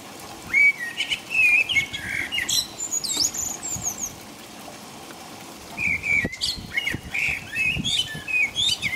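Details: Blackbird singing in the dark in the middle of the night in England while rain falls; a long warbled phrase of fluty whistles rising into a scratchy high flourish, a silence of over a second, then a second bubbling phrase.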